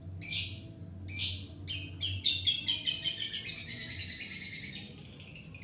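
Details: Long-tailed shrike singing vigorously as a lure for training birds: two harsh scratchy bursts, then quick clipped notes running into a sustained high rattling trill, over faint low hum.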